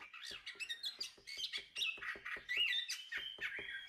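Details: Anis kembang, the chestnut-capped thrush, in a tutor recording for songbirds: a steady, dense run of wavering whistles over rapid sharp clicking pulses.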